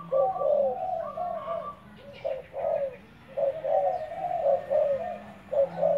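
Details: Spotted dove kept as a decoy bird, heard during training: low, mellow coos in grouped phrases, each a soft hooting run with a slightly emphasised ending, repeated steadily with short pauses, against a quiet background hiss.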